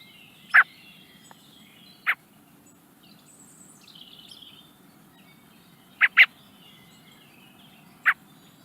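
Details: Young common blackbird in the Netherlands calling toward the camera with sharp, clipped chirps at irregular intervals: one, another about 1.5 seconds later, a close pair, then a last one. Faint high twittering from other birds behind.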